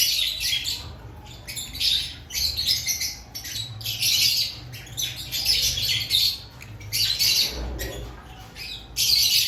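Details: Aviary lovebirds active before breeding season, a flock chattering in loud rasping bursts about a second long, separated by short pauses, with many overlapping squawks.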